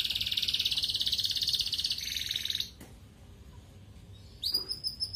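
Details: Red canary in ngerek-style song, meant to stimulate breeding in female canaries: a long rapid buzzy trill that drops slightly in pitch near the end, a short pause, then sharp high whistled notes.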